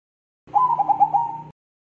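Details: Bangkok-type zebra dove singing in the crossing style, lively and long-running: one short rapid coo of about a second, a string of quick throbbing pulses on a steady mid pitch, otherwise silent.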